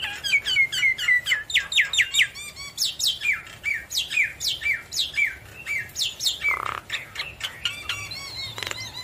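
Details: Lively Javan myna song meant to stir quiet mynas into answering: an unbroken stream of sharp downslurred chirps and whistles, roughly two to three per second, with one harsh nasal burst near the end.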